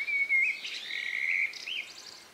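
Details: One of the last birds singing at nightfall in the countryside, recorded 2 May 2020 around 9 p.m.; a sustained clear whistled phrase with small pitch flicks, followed by fainter high notes.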